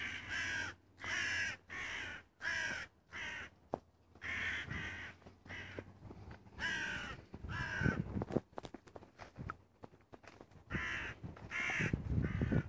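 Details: A crow recorded on 25 June 2017 calls in a rapid run of short, rasping caws, then pauses before more caws over low rumbling background noise and scattered knocks.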